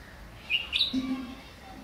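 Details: A red-whiskered bulbul in Pune, perched in one spot, gives a quick pair of bright chirping notes, followed by a brief low murmur that may be a voice.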